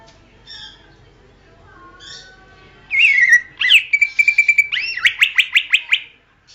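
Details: Greater green leafbird song used for training songbirds: a thin whistled phrase, then loud rising slurred notes, a steady held whistle, and a fast run of sharp repeated chips; quiet background.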